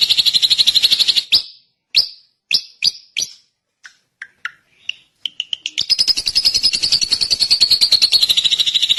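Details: Varied drongo song: a rapid high trill, then separate sharp chirps, short dropping whistles and soft notes, before a long rapid trill returns and runs to the close.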